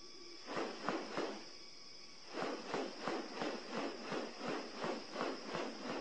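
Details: A displaying male Magnificent Riflebird opening and closing his wings toward a female, making dry, rustling wing swishes, about three a second in two bursts with a short pause, over a steady high insect hiss.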